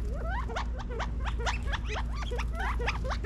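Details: A group of California quail feeding in a back yard in Las Vegas, Nevada, fall 2022, giving rapid, closely repeated sharp chips with rising sweeps, almost ten per second, over low background noise.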